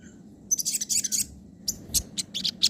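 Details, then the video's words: Sogon song in nembak and ngobra styles, used as training audio for other birds: a burst of high, rapid chirps, a pause, then a string of separate sharp high notes. "masteran suara sogon nembak & ngobra"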